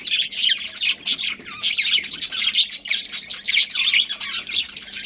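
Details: Budgerigar colony chattering: dense overlapping high chirps and squawky twitters from many birds, almost continuous with short bursts roughly every few tenths of a second, over a faint steady low hum.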